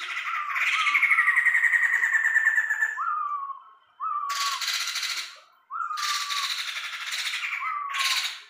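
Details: Tame Sumatran laughingthrush in full, frequent song: a long harsh, rattling chatter lasting about three seconds, then short whistled notes that rise and dip, each followed by a loud buzzy burst, repeated several times.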